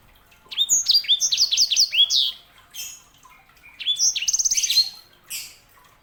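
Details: Sanger canary hybrid delivering rapid, repeated high whistled syllables, each sweeping down, in two phrases separated by a short gap, the second ending in a fast rattling trill.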